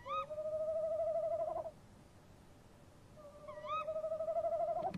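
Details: Tawny owls calling at a nest box at about 3 a.m. on 23 March 2015, male and female answering each other, two long, steady hoots, each rising slightly, about a second and a half, over a quiet background.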